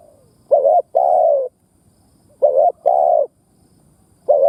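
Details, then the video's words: Decoy spotted dove cooing to stir other doves to call. Mellow two-note phrases, a short quaver then a held coo, repeat about every two seconds. Quiet surroundings. "Tiếng Chim Cu Mồi Đất Thúc gù gù cà lăm gáy"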